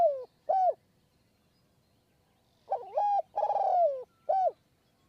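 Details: Spotted dove cooing on a perch in high forest near Kanchanaburi, Thailand, while wild doves are lured with a decoy. Two short falling coos end one phrase. After a pause comes a full phrase: a wavering note, a long drawn descending coo, and a crisp final note.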